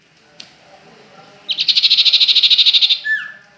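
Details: Bird singing at Ajibarang: a rapid, even trill of about twenty high, bright pulses lasting one and a half seconds, ending in a short falling slur.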